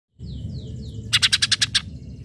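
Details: Greater green leafbird in full song, used to provoke rival leafbirds and make untrained birds answer: three high descending whistled sweeps, then a fast run of about seven sharp buzzy pulses, over a constant low rumbling background.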